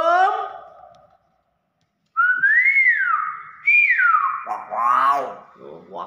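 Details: Hill myna whistling: a falling tone, a short silence, then long, smooth whistles that rise and fall, followed by a wavering, voice-like sound.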